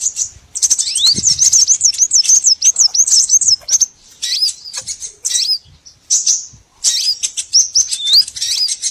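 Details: Lure sound for trapping small birds: dense high twittering with looping whistled notes and brief pauses, a rising sweep near the start, faint low rustling.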